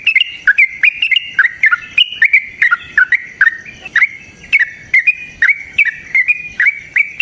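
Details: Rapid, insistent song of a yellow-vented bulbul meant to trigger singing in other bulbuls: unbroken chains of bright, clipped, bubbly notes, bending up and down in quick succession.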